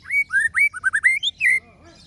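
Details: White-rumped shama (murai batu) singing the Ciung Wanara song style: about ten rapid, clear whistled notes, many slurred upward, delivered within two seconds and ending on a longer bright whistle.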